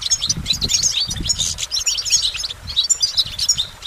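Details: Continuous goldfinch singing: jangling, high, rapidly repeated twitters and trills running almost without a break, with low thumping noise in the background.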